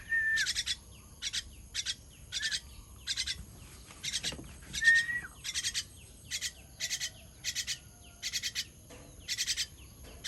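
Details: Young bird calling as it is fed on 18.06.23, giving short buzzy chirp bursts at a steady pace, roughly every three quarters of a second, with a thin whistled note near the start and another midway.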